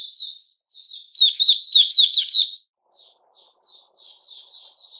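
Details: Sooty-headed bulbul, male, 10 July 2021: soft chirps, then a loud burst of about six quick twisting notes, followed by scattered faint calls.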